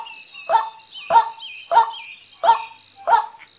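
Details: Five loud, hoarse croaks from a female white-breasted waterhen, about one every 0.65 seconds, interleaved with falling whistled notes from another bird and a steady insect drone.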